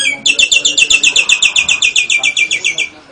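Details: Nias hill myna singing with lovebird and canary imitations in its repertoire; a rapid, regular series of buzzy, high chattering notes, roughly four a second, lasting close to three seconds.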